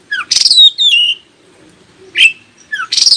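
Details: Oriental magpie-robin song played to make other magpie-robins answer and sing: loud, varied whistled notes and harsh buzzy bursts, a swooping whistle, separated by short pauses, with a faint low hum beneath.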